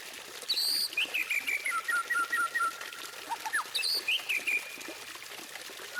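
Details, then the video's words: Song of a white-rumped shama, meant to prompt other birds to sing: sharp high whistles drop into steady strings of repeated clear notes, paused and resumed twice with a rising flourish, against a soft background hiss. "Masteran Burung Murai Batu Terbaik: Bikin Semua Burung Ikut Bunyi!"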